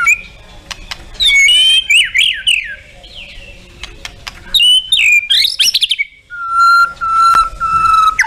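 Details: White-rumped shama, murai batu, in a full 'tembakan' song with varied fill-ins: loud bursts of slurred whistles, sharp rising and falling notes and rapid chattering phrases, ending on long clear level whistles.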